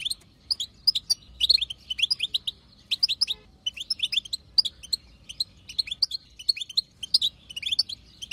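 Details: Wild female European goldfinch chatter intended to make a male sing: steady bursts of sharp, high, tinkling notes, each burst lasting under a second, repeating throughout with short pauses.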